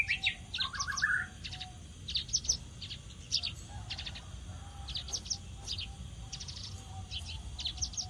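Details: Javan bush lark in vigorous song, a quieter run of crisp high ticks and clipped chirps in loose clusters, with one brief rolling trill early on and a steady low rumble beneath.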